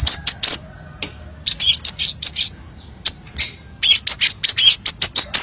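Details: Crimson sunbird singing varied phrases: fast clusters of shrill, high chirps and squeaky notes, a brief pause, then a busy closing burst of sharp notes.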